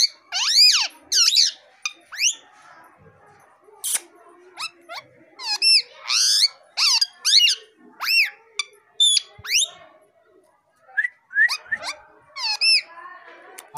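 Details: Pet plum-headed parakeet whistling and chattering, expressing its mood; rapid bursts of shrill rising and falling whistled notes with strong harmonics, calls coming in quick groups every second or so, with short pauses and a quiet room behind.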